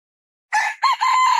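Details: Red junglefowl crowing, caught partway: a hoarse first note, a rising second syllable, then a long steady raspy note still running when the recording ends.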